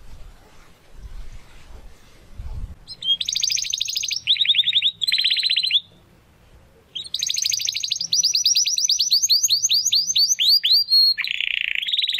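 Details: Young Spanish Timbrado canary finding its full song: after low background rumble, buzzy rolling phrases separated by a pause, then a long trill of rapid notes sliding downward, ending in a lower roll.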